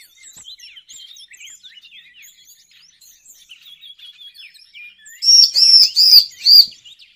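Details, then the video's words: A Bar-winged Prinia used as a lure call gives soft, busy twittering chatter for five seconds, then four loud, buzzy, harsh notes in quick succession. "suara pikat burung cigun ciblek"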